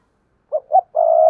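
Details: Spotted dove acting as a decoy to attract wild doves, one phrase of two short notes leading into a sustained low coo, cut off at the end.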